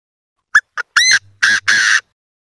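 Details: Chinese francolin calling back and forth with another: a sharp click, a short note, then three loud, harsh, ringing notes, the last two long and steady, all within about one and a half seconds, with no other sounds.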